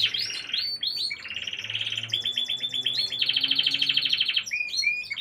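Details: Gloster canary song: varied high phrases that move from short chirps into long, buzzy rolled trills, then a bright sustained rattle before closing with quick twittering notes.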